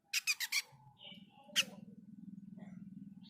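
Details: Jenggot mini bird, described as singing eagerly, giving three quick loud buzzy chirps in a row, then a short whistle and a later sharp chip, over a steady low hum.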